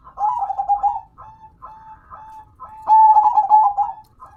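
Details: Local zebra dove (perkutut) kept as a hobby bird, singing actively: rolling, throaty cooing phrases broken by short pauses, a softer middle stretch, then a louder burst of coos near the end.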